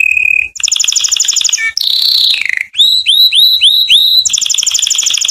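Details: Canary song aimed at drawing females to mate, a lively sequence of rapid high trills, a descending slurred note, then a string of upswept whistled notes and another fast trill.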